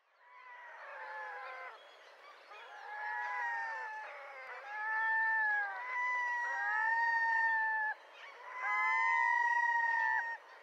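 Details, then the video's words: Red-throated diver giving long cat-like wailing calls, drawn-out mewing notes in a series, each held one to two seconds with short gaps. "Red throated diver"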